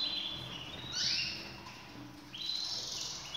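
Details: Canaries said to be ready for breeding sing high rolled phrases, a bright trilled burst near one second and another rising run after two and a half seconds, with a faint low hum underneath.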